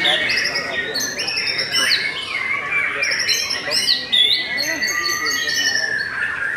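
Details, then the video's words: White-rumped shama of the "Belanda" type sings a dense, fast medley of clear whistles, chattering trills and buzzy squawks over a steady high tone, described as top quality and stable. "Murai Batu BELANDA Memang TOP - Masih Stabil"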